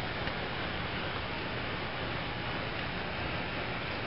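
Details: Steady broadband hiss fills the recording, with no animal calls to be heard.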